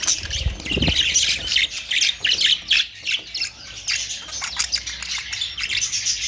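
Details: Budgerigar, an Australian parrot, chattering continuously with dense, scratchy high-pitched squawks and warbles in rapid irregular bursts, a few soft low thumps early on.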